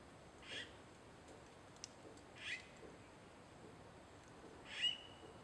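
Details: Young Red-billed Blue Magpie, 13 March 2015: three short, harsh, breathy calls about two seconds apart, the last ending in a thin high whistle, over a steady high hiss.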